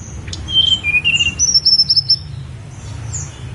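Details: On Mount Songgo Langit a Snowy-browed flycatcher sings quick, high, sweet notes: a few lower whistles, then a rapid rattle-like string of very high, even notes, before fainter notes fade out.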